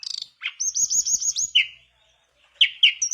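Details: Mangrove blue flycatcher in full song, meant to prompt other birds to join in; a high sustained warbling whistle, a pause, then bright slurred notes dropping in pitch.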